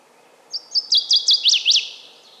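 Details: Northern waterthrush (Parkesia noveboracensis), song.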